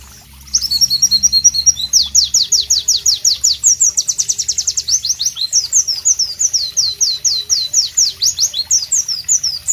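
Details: Loud, sharp masteran song of a White-eye, the Pleci of Southeast Asia: after a brief quiet start, a fast run of high, bright, down-slurred notes repeated in quick rhythmic series, with trilled passages mixed in.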